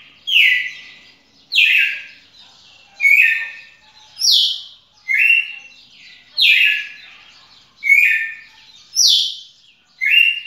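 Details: Song of a red-cowled cardinal, recorded 18 June 2021: a steady series of bright, slurred whistles dropping in pitch, about eight phrases delivered at even intervals, varying between higher and lower starting notes.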